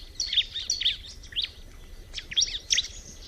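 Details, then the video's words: Bar-winged prinia with short clusters of piercing, high tweets, each group of two or three notes separated by brief gaps, ending in a louder pair of sharp chirps. "kicauan alam burung ciblek"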